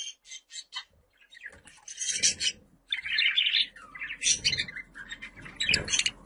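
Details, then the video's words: Budgies chattering in a calling recording played to attract pet birds; rapid ticking notes lead into dense, buzzy warbled chatter with squeaky highs. "Muhabbet Kuşu Sesi, kuş sesleri, muhabbet kuşu çağırma sesi!"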